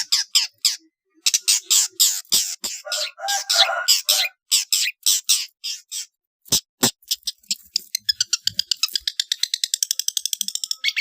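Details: {'text': 'Long-tailed shrike training recording for competition birds: loud, varied high chips and harsh squawky notes in fast sequences, a short pause, then an accelerating trill of very rapid ticking notes.'}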